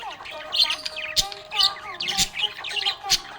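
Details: Happy pet budgerigar chirping: a busy chatter of short, twisting high chirps and squeaky warbles, with a few sharper clicks and a faint steady tone underneath.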